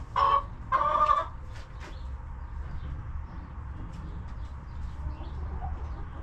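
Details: Hens in a coop: two loud, harsh clucking notes close together, then a few faint clicks and soft sounds over a constant low rumble.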